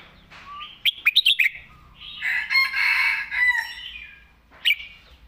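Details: Competition red-whiskered bulbul singing a thick-voiced master song (phaeng mae bot): a burst of sharp, rapid clicking notes, then a long rich warbled phrase and one more sharp note, with quiet low hum underneath.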